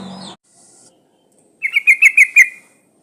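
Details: Female trucuk bulbul in breeding condition calling to males: a brief noisy opening, then a rapid liquid chatter of six rolling, bubbly notes lasting about a second.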